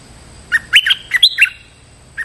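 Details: Stripe-throated bulbul lure call meant to draw out a territorial resident bird: a bubbly run of six short, slurred, warbling notes, followed after a pause by one lone note. Faint low hum underneath.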